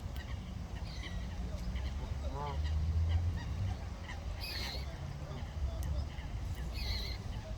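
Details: Common moorhen with its chicks in water, giving a brief harsh honking call near the middle, followed by a few faint high chirps, all over steady low-pitched background rumble.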